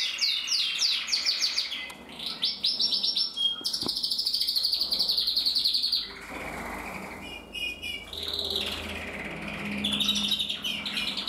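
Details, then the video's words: Male red mosaic isabel canary with red mask, bred in captivity, 2024, singing a varied sequence: fast pulsed trills, a long buzzing roll, a sudden click, then softer chattering and renewed trilling. "Kanarienvogel Rot-mosaik isabell 2024"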